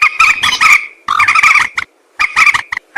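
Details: Common moorhen hunting-lure sound: three loud bursts of grating, throaty chatter, each under a second long, separated by short pauses.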